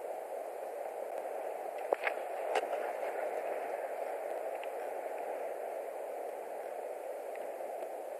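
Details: Constant static hiss from a nest camera microphone, broken only by a few faint clicks and knocks, with no animal calls.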